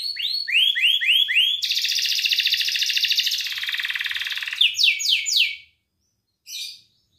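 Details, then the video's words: Belgian canary song meant to stimulate females: several rising swept notes, then a long dense buzzy trill of nearly three seconds, a few quick upswept notes, a pause and one short final note. "Canto Para Esquentar Canário Belga e Foguear as Fêmeas"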